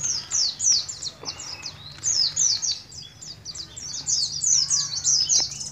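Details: Oriental white-eye, young and caged, from Moga, Pemalang, Central Java, just learning ngalas ngeroll: lively bursts of high-pitched, swiftly slurred notes in groups, separated by short gaps, with a steady low hum behind.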